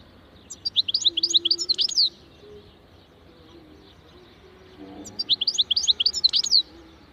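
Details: Wild European goldfinch giving two liquid, twittering phrases of quick, high, jangling notes, the phrases several seconds apart, with a faint low murmur between them.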